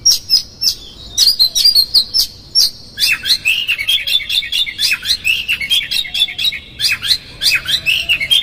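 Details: Oriental magpie-robin producing an energetic lure song to provoke another magpie-robin; dense, rapid series of sharp high chips and whistled notes, becoming a nearly continuous chattering warble midway.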